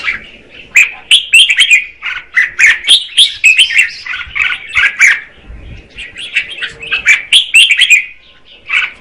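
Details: A female red-whiskered bulbul sings to stir the male into song: lively chattering phrases of short, clear warbled notes in rapid bursts, with a brief quieter pause midway before the run resumes.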